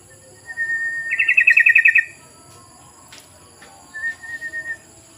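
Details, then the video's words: Sooty-headed bulbul lure call, played to get other bulbuls singing: a level whistled note runs into a fast, bright trill of about ten pulses, then a weaker, shorter trill follows two seconds later. "SUARA PANCINGAN UNTUK BURUNG TRUCUKAN❗❗❗TRUCUKAN KALIAN PASTI IKUT BUNYI❗❗❗"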